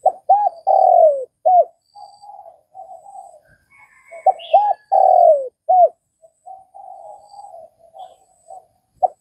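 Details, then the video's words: Spotted dove from Vietnam cooing: a low phrase of two short coos, a longer falling coo and a final short note, given twice, with soft faint bird chirps between. "Tiếng cu gáy Việt"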